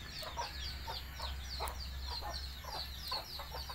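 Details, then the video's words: Domestic hen calling her young to eat: quick soft clucks repeated through the clip, with high thin chick peeps overhead and a steady low-pitched hum in the background. "Bahasa Ayam Memanggil Anaknya Makan"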